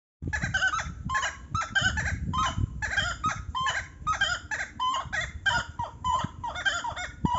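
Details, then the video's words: Buff-necked ibis, probably a pair, calling in a loud, rapid series of harsh, metallic honking notes, several per second, overlapping and continuous. "Canto da ave Maçarico (Tapicuru)"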